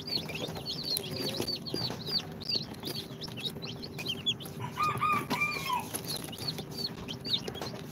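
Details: Two-day-old incubator chicks, Sultan, Golden Sebright, Cochin and booted, producing a flurry of shrill falling peeps, joined midway by a lower, longer trilled call, over a constant faint hum.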